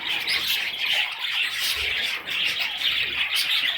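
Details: High raspy chattering from baby parrots, steady overlapping chirps in two bursts separated by a brief dip around the middle.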